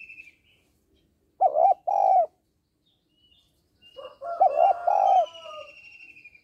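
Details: Female spotted dove calling to rouse males: two low, hollow double coos a few seconds apart, the second followed by faint higher warbling notes.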